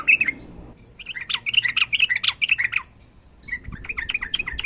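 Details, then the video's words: Sooty-headed bulbul training recording, a female calling the male: bright, rapid chattering warbles in two bursts separated by a brief gap, with faint low background noise. "TRUCUKAN GACOR NARUNG ROPEL PANJANG MASTERAN TERBAIK UNTUK BURUNG TRUCUKAN SUSAH BUNYI"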